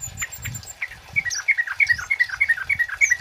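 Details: Male kemade flowerpecker in loud 'cit keres' chirping song, used as a lure and tutor: quick, bright descending chirps repeated about three per second, with soft thumping and rustling noises underneath.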